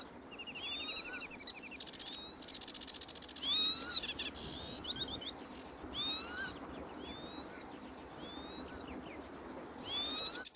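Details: Northern lapwing chicks foraging give wheezy, upslurred whistled notes with a quick rise and fall, in irregular bursts over a steady rushing hiss.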